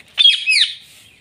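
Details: Indian ringneck parakeet saying "Mitthu" in a single loud, high, slightly harsh utterance under a second long, starting abruptly, wavering in pitch, then trailing off into quiet.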